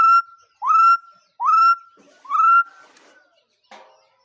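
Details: Bird calling in clear, rich whistles that rise and then hold level, three or four in a row with gaps of under a second. A faint scratchy noise follows near the end.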